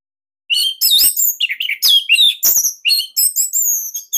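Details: Captive Orange-headed thrush of the Bali type singing a loud, tight, unique master song meant to prompt other birds to sing: rapid run of high, varied whistled and chattering phrases with sharp slurred notes, continuous after a brief silence.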